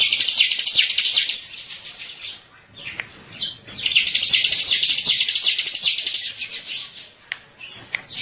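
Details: A bar-winged prinia's lure song for training birds: long bursts of high chattering trill, a lull with scattered notes around three seconds, then a strong renewed trill that fades near the end.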